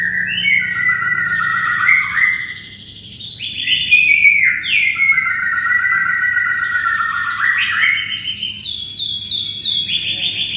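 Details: Canary in full, vigorous song, used as tutor song for training a magpie-robin: a long run of varied whistled trills and rolling phrases sliding between mid and high pitch, with short rising and falling notes throughout.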